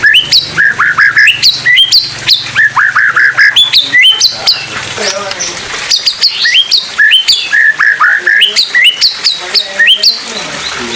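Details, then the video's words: Song of an oriental magpie-robin of the 'pastol' type performing 'tembakan maut': long, energetic runs of clear whistles and rapid up-slurred chirps, some harsh chattering in the middle, and a low steady hum throughout. "Suara Asli Murai Pastol Tembakan Maut"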